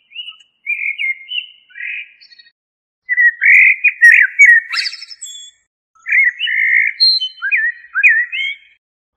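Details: Song of the common blackbird, Turdus merula: mellow warbled phrases split by pauses, one ending in a sharp high scratchy burst, with later slurred whistles swooping up and down.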